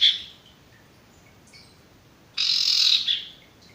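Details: Male Ashy Tailorbird (sirtu) voice for training new or stressed non-singing birds: a short harsh note, faint high chips, then a half-second burst of loud, dense, buzzy rattling.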